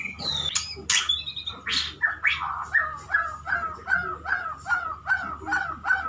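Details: Pet male white-rumped shama courting a female. After a few sharp high notes, it sings a steady series of short, repeated, chattering phrases, about two per second, in a mid-pitched register.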